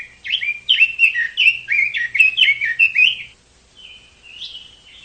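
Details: Chinese hwamei singing: loud, rich, rapidly repeated whistled phrases with slurred up-and-down notes, about three per second for three seconds, then a quieter drawn-out whistle and a rising note.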